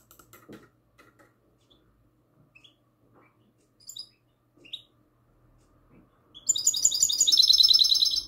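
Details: Caged goldfinch hybrid (mixto jilguero), classic-style song recorded at night on 22 March 2020; sparse high chirps and short rising whistles, then a loud rapid run of bright, buzzy, trilled notes repeated about three per second.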